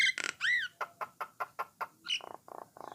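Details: Starling called Jalak Nias or Jalak Coklat singing to prompt others to sing: a rising-falling whistle, a row of short clipped notes about every fifth of a second, then low buzzy chatter.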